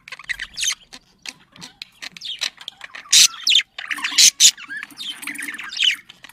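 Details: Pet budgerigars making breeding-stimulation chatter: soft, scratchy warbling and ticking that builds to loud, shrill squawks in the middle, then falls back to rambling buzzy twitters.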